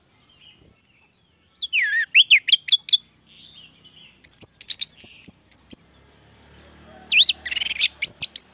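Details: Actively singing orange-headed thrush, a recording meant to prompt other thrushes to sing: bursts of high, looping whistles and quick chipping notes separated by short gaps, ending in a dense, scratchy, varied flourish.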